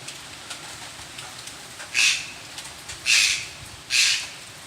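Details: A white-throated magpie-jay gives three loud, harsh, rasping calls over a steady hiss at a creek-side property in Escamequita, Nicaragua, after light rain, with howler monkeys audible in the distance.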